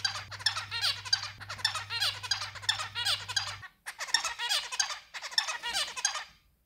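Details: A white pet zebra finch sings a fast run of nasal, buzzy notes, repeating the same short phrase.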